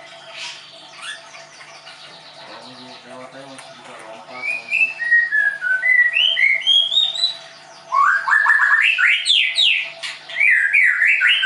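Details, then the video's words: Caged White-rumped shama from a Tangerang, Indonesia songbird school sings a long phrase of ascending whistles, then a fast burst of loud rising and falling notes repeated several times per second, over faint room hum. "MURAI BATU LEUSER"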